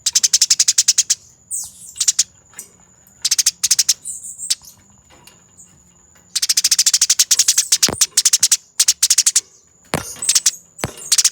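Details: Master recording of a fighting Eurasian tree sparrow, used for training birds: long fast rolls of harsh, closely packed chirps in several bursts, some stretches almost continuous, with brief gaps, a thin steady high whine and a few clicks.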